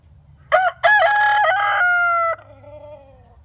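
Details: Rooster crowing: two short clipped opening notes, then a long loud harsh held note trailing off, followed by a softer descending tail; a low hum underneath.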